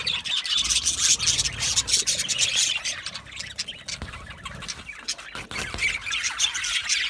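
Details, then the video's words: A flock of Australian budgerigars chirps and twitters while content, a dense, restless stream of high, scratchy notes with rapid clicks, easing slightly midway before building again. "Budgie parrot chirping sounds"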